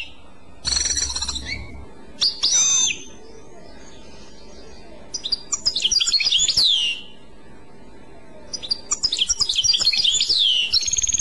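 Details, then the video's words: Clochette-style song of a European goldfinch: three separate bursts of rapid, high, jangling twitters with swooping slurred notes, divided by short silences. "تغريد كلوشات Chant Clochette"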